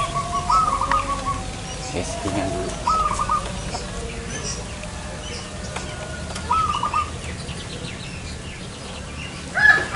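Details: Zebra dove during trapping outside a home: three brief trilled coo phrases spaced a few seconds apart against a hissy outdoor background, with scattered chirps from other birds and faint voices.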